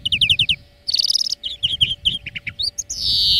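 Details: European greenfinch song for training birds: a varied run of twittering, rolling and chirping notes that ends in a rising, nasal wheeze.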